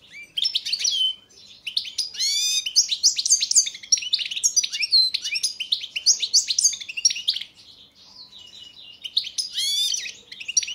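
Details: Balkan goldfinch, subspecies balcanica, singing in a Serbian-run 2022 world song championship entry: long, tumbling stream of high twitters, rapid chirps and slurred whistles, briefly softer before a final bright burst.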